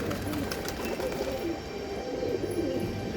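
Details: Soft, low pigeon coos rolling and overlapping continuously, several birds calling at once against a faint steady background hiss.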